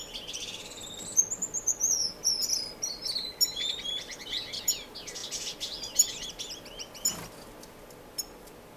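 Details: Finches singing in a non-breeding indoor community aviary, Edmonton, Canada, March 2015: a chain of high, slurred descending whistles leads into buzzy chips and twitters, with a brief broadband rustle near the end.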